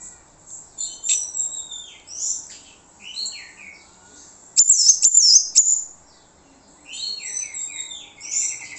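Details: Orange-headed thrush lure song for drawing other birds' replies: quick varied chirps and slurred whistles in continuous bursts, a louder sharp rasping section midway, then more rapid twittering phrases.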